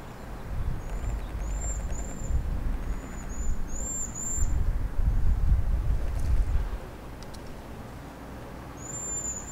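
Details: Cedar waxwings at sunset on a spring day, 4 April 2019, during an evening flurry of feeding activity; very high, thin lisping whistles repeated in short series, some slightly rising, over steady low rumble from traffic or wind.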